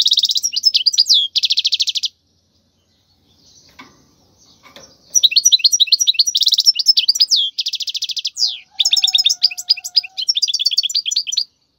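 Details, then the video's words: European goldfinch singing a wild khalwi-style song meant for training chicks: fast tinkling phrases and buzzy trills, then a roughly three-second pause, then renewed twittering bursts with a faint low whistle near the end. "تغريد الحسون البري لتدريب الفراخ"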